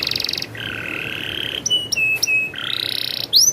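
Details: Very vocal canary with a rolling song: a rapid trill, then a smooth whistled note with an overtone and short repeated whistles, a further trill, and a closing upward flourish.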